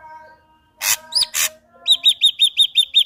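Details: Ashy drongo in energetic song for luring a second ashy drongo into singing: a pair of rough rasps framing a hooked whistle, followed by eight quick, ringing repeated chirps.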